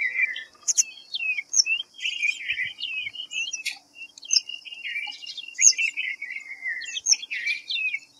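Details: White-browed fantail, Rhipidura aureola: a lively sequence of high whistled chirps and twittering, nearly continuous for eight seconds, with a few quiet breaks and a steady background hiss.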